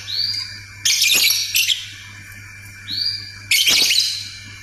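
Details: Lovebird in ngetik and ngekek chatter, two strong harsh rattling bursts, each led by a thin upswept whistle, over a constant low electrical hum.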